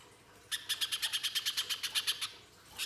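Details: Little spiderhunter singing loudly, harsh 'nembak kasar' style, as a lure for spiderhunters: after silence, a quick burst of about fifteen rough buzzy notes lasting under two seconds, then one more note.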